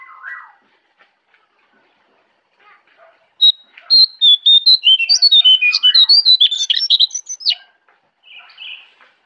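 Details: Jongkangan, known as orange-spotted bulbul, singing in the forest at Kintamani, Bali: after faint notes, a loud, fast chattering burst of varied whistled and squeaky notes, about four seconds of rapid phrases, then quieter notes.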